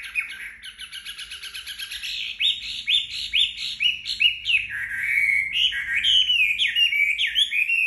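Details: Chinese hwamei singing after a bath while drying in the sun, starting with rapid repeated chattering notes, then loud, clear whistled phrases that rise and fall, about two a second, growing fuller toward the end.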